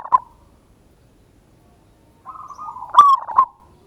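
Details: Local zebra dove lure song in ngayer kerot nutut style for drawing a response: a brief note at the start, then a soft flat coo leading into one loud stuttered cooing phrase.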